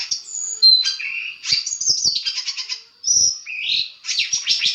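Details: Long-tailed shrike master recording to make other shrikes reply: varied high chirps, a long thin whistle, a lower rising note and buzzy trills.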